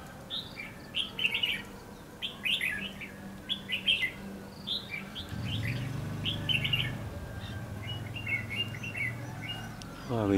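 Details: Decoy red-whiskered bulbul singing from a trap set in bushes at Lương Sơn to attract wild bulbuls: short, warbled, whistled phrases repeated every second or so, with a low humming rumble partway and a brief louder noise at the end.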